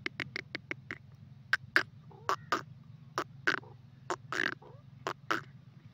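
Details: Francolin (teetar) calling: loud, sharp, harsh notes, first in a rapid burst of six, then spaced out and sometimes paired, over a steady low rumble.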